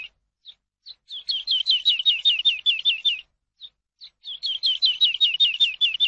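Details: Eurasian skylark teaching song for captive birds. A few lead-in chirps are followed by a steady train of hooked notes, a brief break, and then a second matching train.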